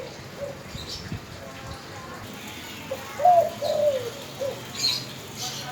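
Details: Spotted dove coo phrase of three mid-pitched, slightly quavering notes, the first loudest, set against quiet background noise and faint low thumps.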